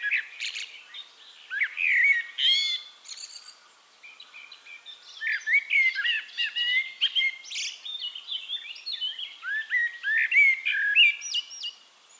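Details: Eurasian blackbird, Turdus merula, in full song at Castricum, the Netherlands: a long run of varied fluty whistled phrases, each often closing in squeaky high twitters, with brief pauses between strophes.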